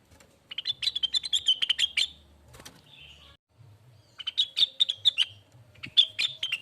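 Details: Lesser green leafbird song, used as a lure and tutor recording for training birds: two bursts of rapid, bright chirping notes run about ten per second, with a soft low hum underneath.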